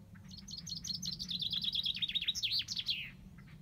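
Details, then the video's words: Common chaffinch song: a rapid series of high sharp notes that speed up and descend into a trill, ending in a flourish, with faint low background rumble. "Chaffinch Bird song"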